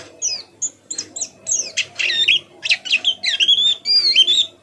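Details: A tutor white-eye for other white-eyes gives separate high chirps that build into faster twittering with twisting whistled notes, over a steady faint hum.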